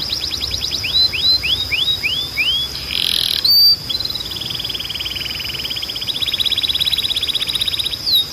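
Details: Canary training song: rapid notes, a run of rising whistled slurs, a brief burst of noisy chatter, then a long wavering rolling trill over a steady high tone.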